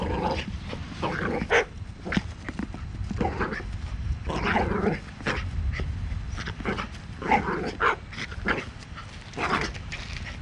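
A sulphur-crested cockatoo gives harsh, dog-like barks in short, irregular bursts, a dozen or so, with low background rumble and faint voices.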